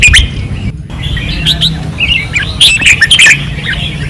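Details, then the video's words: Red-whiskered bulbuls on a training perch in Pattani, 2024, singing fiercely: cheerful whistled and chattering phrases, a brief gap early, then dense overlapping song, with low hum. "เสียงนกกรงหัวจุก ราวซ้อม ร้องอย่างดุเดือด"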